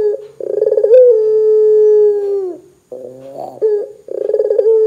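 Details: Barbary dove calling to entice other doves to join in: a rolling pulsed start leading into a long steady coo that drops off, a wavering mid phrase, then another rolling trill.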